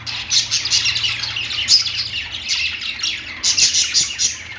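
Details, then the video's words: Several pet budgerigars singing on a perch: dense, continuous chattering warble of rapid high chirps, squeaks and buzzy notes, overlapping voices with bursts of louder chirping throughout, a faint low hum underneath. "budgies singing on perch | parakeet chirping sounds"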